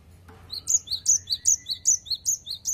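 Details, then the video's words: A cinereous tit in full 'wucit wucit' song: a steady string of about ten sharp, high, whistled two-part notes, each dipping then rising, repeated several times a second, with faint low rumble behind. "Gelatik Batu Gacor Wucit Wucit Suara"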